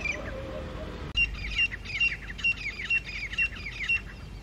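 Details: Rival groups of wild grey francolins challenge each other at their territory on high rocks, early morning, October 2022: loud, piercing high notes in quick paired bursts, repeated about every half second after a brief quieter opening.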